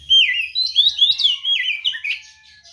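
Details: White-rumped shama singing a fighting song meant to provoke other birds: a loud run of rich whistled phrases sweeping up and down, with warbled slurs over a faint low hum.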